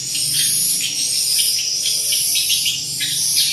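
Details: High, busy chirping of many swiftlets in a swiftlet house at Pasangkayu holding around 200 birds. Clipped twittering notes overlap in quick, irregular bursts above a constant hissing background.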